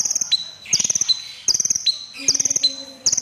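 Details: Lively crimson sunbird song: quick, high chattering trills followed by a thin, level whistle-like note, three or four bursts in quick succession.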